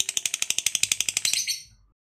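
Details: Brief burst of lovebird ngekek, a chattering song used to provoke other lovebirds: about fifteen sharp, high rattling notes in quick succession, then fading away into silence.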